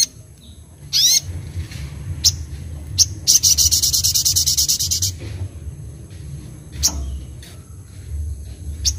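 Little Spiderhunter giving sharp high chips, then a fast, buzzy, rattling trill lasting about two seconds, over a low background hum.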